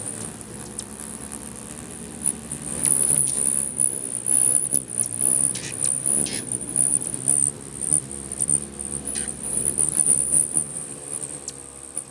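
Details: Many hummingbirds crowding three busy feeders in Bigfork, Montana, fighting over territory. Thin, very high chirps and squeaks sound almost nonstop over a steady whirring hum of fluttering wings.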